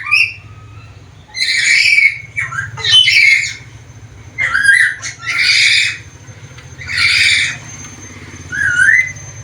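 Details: A lively black-capped lory, described as able to talk with varied sounds, gives a run of harsh, broad squawks and short whistles in bursts roughly every second, over a steady low hum.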